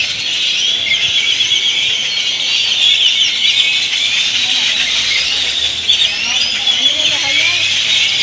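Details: Flock of great-tailed grackles crowding into roost trees to sleep in Granada, Nicaragua; a loud, continuous shrill chorus of squeaks, whistles and rising slurs, with faint speech beneath.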